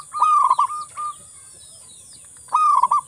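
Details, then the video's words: A local zebra dove gives a soft, rolling, stuttered coo ending in a short separate note, repeating the phrase two seconds later over a steady high hiss; used as a lure to get other doves singing. "Perkutut lokal gacor"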